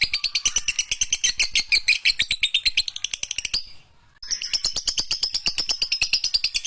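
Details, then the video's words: Lovebird giving a long chattering ngekek song, used as a master recording for training birds: dense, high, buzzy rapid chatter pulsing steadily, a brief silence near the middle, then the shrill chatter resumes. "Masteran burung lovebird di jamin langsung Gacor"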